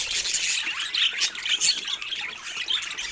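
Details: Budgerigars chattering in a continuous high warble of squeaks, chirps and short whistled notes, several birds overlapping without pause.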